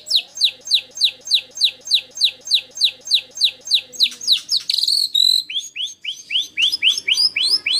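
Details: White-rumped shama master recording of harsh 'tembakan kasar' for training competition birds: a steady series of downslurred whistled notes, about three per second, over a lower repeated note, then a sharp high burst and faster downslurs.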